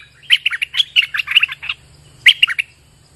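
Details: Bulbul, the streak-eared bulbul known in Thailand as nok dok taeng, kept as a singing bird, in rainy weather: rapid bursts of bright chirpy notes in two phrases, with a short pause between them.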